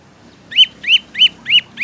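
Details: Prinia song used to train cage birds: loud, rising chirped notes repeated about three times a second.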